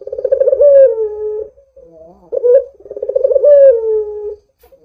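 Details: A vocal Barbary dove serving as a lure for other doves: two deep, trilled coos about two and a half seconds apart, each swelling and then falling away. A soft low murmur sits between them.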